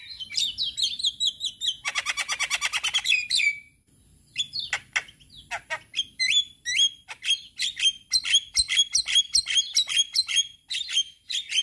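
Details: Song of a male Javan myna, offered as a lure for mynas learning sounds. It opens with fast rattling chatter, then brief silence, then scattered piping whistles and clicks building into quick, uneven note strings.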